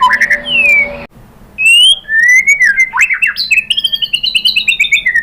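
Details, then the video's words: White-rumped shama lure song to draw a reply: a couple of whistled notes, a brief pause, then sliding whistles leading into fast rattled trills and descending chattering phrases. "pancingan MURAI BATU bikin EMOSI NYAUT"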